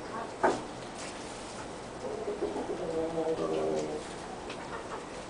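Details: A white-faced black Spanish hen laying eggs gives a low, throaty, crooning murmur that wavers for a couple of seconds after one brief sharp sound, over a steady background hiss.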